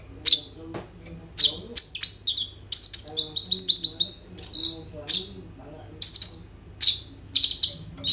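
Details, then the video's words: Kolibri ninja sunbird in rolling song filled with other birds' phrases, phone recording: sharp high chips lead into a rapid series of down-slurred whistled notes, about two per second overall. "KOLIBRI NINJA GACOR FULL ISIAN ROLL TEMBAK, COCOK UNTUK PANCINGAN KONIN BAHAN BIAR BUNYI"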